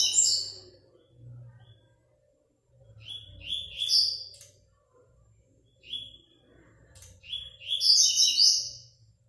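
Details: 4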